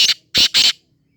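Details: Black francolin calling: three loud, harsh, grating notes in quick succession lasting under a second, the first short and doubled, the last two longer and rasping, then quiet.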